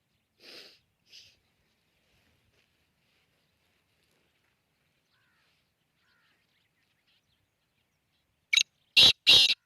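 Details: Black francolin giving its call: a few faint rasping notes at the start, a long silence, then three loud, harsh, rapid grating notes close together at the end.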